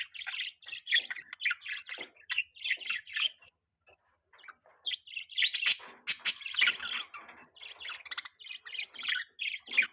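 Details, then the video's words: Mating-season budgerigar chatter: a run of warbled, chirpy phrases, a brief pause, then louder mixed chirps and scratchy notes resuming at a quick pace. "budgie chirping sound|budgie mating season|budgie beautiful voice"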